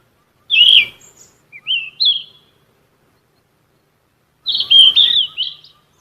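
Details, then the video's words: Yellow-rumped flycatcher, a Ficedula flycatcher of shrubs and trees, singing for captive-bird training. A sharp high burst, a few short slurred whistles, a long silence, then a fuller warbling phrase. Background is quiet. "BURUNG KICAU"SIKATAN EMAS"(KICAU MANIA)Full Gacor"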